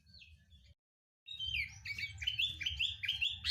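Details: Sooty-headed bulbul song used as a lure to get kept bulbuls singing quickly: a faint note, a brief silence, then a rapid run of clear, upslurred whistled notes, roughly two per second, over a low steady hum.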